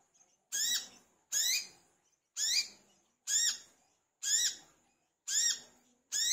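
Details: Olive-backed sunbird (wiceh, manggar) in full, energetic song, recorded as a lure to prompt other birds to sing: loud, buzzy, upward-sweeping notes repeated roughly every second, seven in all, over a quiet background.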